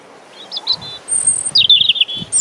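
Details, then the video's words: European robin singing about 50 cm from the microphone in Deal, Kent, UK, on 17 April 2021: a brief phrase of thin, high, varied notes, some sliding and trilled, with faint low wind rumble beneath on a windy day. "European Robin Song"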